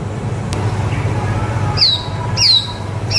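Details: White-rumped shama in song for tutoring young birds: three spaced, high, clear downslurred whistles about half a second apart over a steady low rumbling background.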